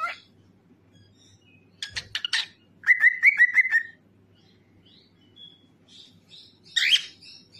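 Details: Cockatiel song meant to make other cockatiels sing: a sharp upward chirp, a burst of buzzy notes, then a rapid run of short whistled notes at steady pitch, followed by quieter chirps and a final harsh screech over faint background hum.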